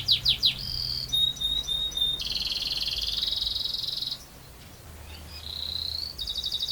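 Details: ['Canary in lively long rolling song: fast trilled rolls and buzzy sustained notes high in pitch, switching between phrases every second or so, a brief quieter pause near four seconds, then further steady trills.']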